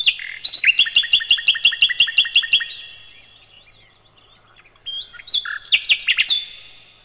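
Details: Master song of the sikatan londo, named as the nightingale, for teaching other cage birds: a rapid run of repeated doubled notes, a quiet pause, then varied high whistles and sharp chirps.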